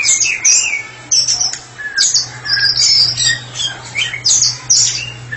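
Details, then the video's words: Murai batu, the white-rumped shama, singing ngeplong style as a therapy specialist: harsh squawky bursts mixed with high whistles and chattering notes in short loud phrases, with a constant low hum behind. "Murai batu spesialis terapi sedang ngeplong"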